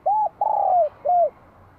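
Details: Three ringing coos from a bell-voiced spotted dove in Vietnam, spring 2023: a short arched note, a long falling coo, then another arched note, all loud and clear.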